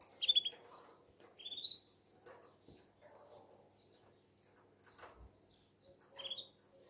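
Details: Canary singing in breeding condition to call the female, possibly in Shkoder, Albania: short bursts of high whistled, slurred notes separated by pauses of about a second, with sharp clicks and faint low murmuring between phrases.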